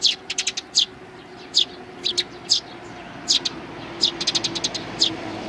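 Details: Sparrows with a nestling and a bald-headed adult, recorded on 8 May 2019: short high chirps in irregular bursts, some quick doubled or tripled notes, over a faint low hum.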